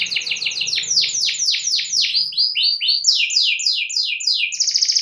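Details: Energetic canary song used to make other canaries sing: a run of loud descending slurred notes, about four per second, changing pitch in groups, ending in a fast high trill; faint low background hum.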